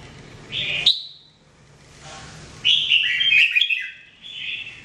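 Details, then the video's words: Red-whiskered bulbul, the jambul used as a training singer, giving a short slurred whistle ending in a sharp note, then after a pause a longer run of chattering, warbled notes. "Training Jambul bird singing everyday 2017"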